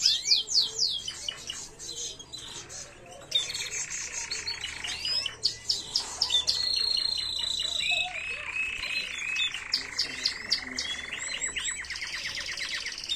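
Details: A canary sings a long, unbroken song of high, rapid trills and rolling tours, shifting every second or two between bright chattering phrases and smooth sustained rolls; an error-free original song for tutoring young birds, 2022.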